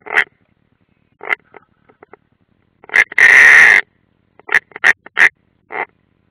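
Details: European rollers at a nest watched by live camera at Ādaži military training area, Latvia, 30 June 2016, one bird unringed: scattered short rasping notes around one long harsh grating call in the middle, otherwise quiet.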